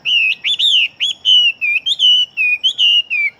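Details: Fighting Chinese hwamei delivers a loud, ringing song. Fluid whistles wave up and down in long, connected phrases with only brief gaps, bright and sustained throughout.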